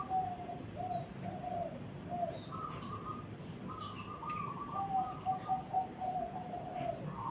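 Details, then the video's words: A zebra dove sings a series of soft, slightly trilled coos, first lower, then higher, then falling back, with a few short high chirps of other birds. "Burung Perkutut"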